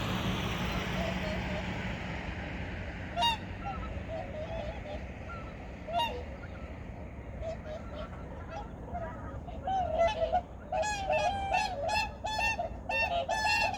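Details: Early-morning migratory birds at Changwon's Junam Reservoir, South Korea, 2019. A low rumble fades out, scattered honks follow, and then a dense burst of loud, repeated nasal honking from many birds closes the recording.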